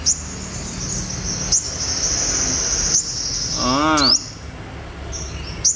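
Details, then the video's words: Wild-caught olive-backed sunbird held captive for taming: a steady high-pitched thin trill runs almost unbroken, with a few sharp clicks and a brief spoken voice in the middle. "THU PHỤC THÀNH CÔNG CHIM HÚT MẬT 5M BỔI VIP HẾT BUỔI SÁNG"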